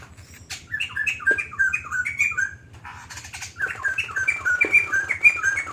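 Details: White-crested laughingthrush pouring out a long lively song, two bursts of rapid, bouncing whistles separated by a short break, with a steady low hum underneath.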